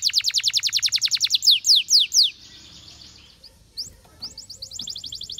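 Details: Canary song for training: a fast series of sharp descending notes, several slower loud falling slurs, a quiet pause with faint sounds, then rapid high repeated notes resuming.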